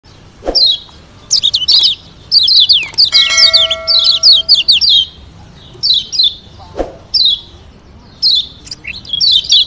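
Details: Lombok yellow white-eye, kept as a cage bird, singing varied high phrases to provoke rivals into answering; thin down-slurred whistles in quick bursts, with brief pauses, a few low thumps and a short steady tone midway.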